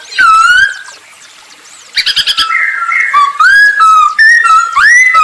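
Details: Masked laughingthrush song meant to lure other birds into singing: a long downslurred whistle, a short pause, a burst of scratchy chatter, then a string of varied rising and falling whistled notes.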